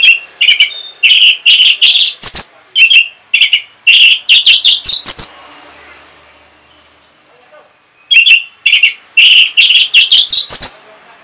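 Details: Orange-headed thrush, a kept bird in northern Bali, singing in reply to a played lure sound: bursts of rapid chirped and whistled notes around mid-high pitch, pausing a few seconds between phrases.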